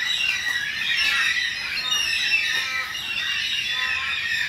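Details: Endangered Carnaby's black-cockatoos, a flock in a suburban Perth backyard in southwest Western Australia, give harsh, overlapping squawks and wailing cries in a steady, noisy chorus with no pauses.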